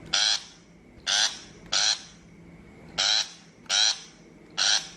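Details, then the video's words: A shrike call used as trapping-speaker lure audio. It gives six rasping, buzzy bursts, each short, roughly one every second or less, with quiet gaps and a low constant hum behind them. "Tiếng chim bách thanh chuẩn mp3 cho loa bẫy 2023"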